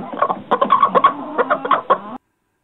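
A chicken gives a quick run of about a dozen short, throaty clucks over two seconds, then stops abruptly.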